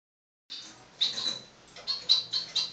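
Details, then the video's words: Male blue-black grassquit courting his female, giving short, high, buzzy notes, four in about two seconds, over faint background hiss. "TIZIU TUI TUI GALANDO SUA FÊMEA"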